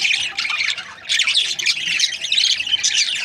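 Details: Breeding pairs of budgies, the Australian parrot, producing a loud, unbroken wall of overlapping chirps, squeaky warbles and harsh squawks, briefly dipping near the one-second mark before the busy chatter swells again.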